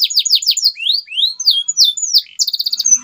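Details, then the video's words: Energetic canary song, played to coax mute canaries back into singing: a quick run of descending chirps, then smooth rising and falling whistles, ending in a fast, even trill. "CUITAN KENARI 100% GACOR"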